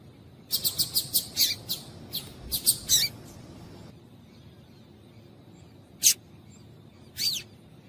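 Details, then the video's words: Female double-collared seedeater calling to get males singing. A rapid run of about ten high, sharp chips is followed by a pause, then two more separate chips, over low hum. "Piado de Fêmea de Coleiro para Esquentar Coleiro"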